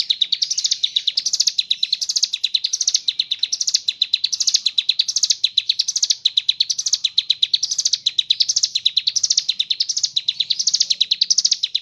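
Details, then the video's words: Nearly twelve seconds of ciblek gunung singing gacor ngebren with kapas tembak imitations: a relentless, fast, high twitter in evenly repeated rising phrases, loud and clean against a quiet background. "ciblek gunung / cigun gacor ngebren isian kapas tembak bird sing"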